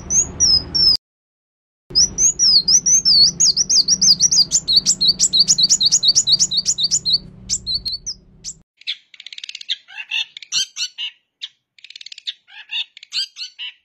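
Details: Vigorous long-tailed shrike song filled with bar-winged prinia imitation. High whistled notes, then a long rapid series of sharp repeated chips. It breaks into scattered scratchy twittering toward the end, and a low hum sits underneath the first half.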